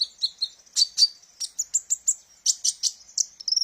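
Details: Kolibri ninja sunbird song, played as a lure for training birds; short, fast sequence of sharp high chirps and thin whistled notes, spaced evenly, ending in quick twitters.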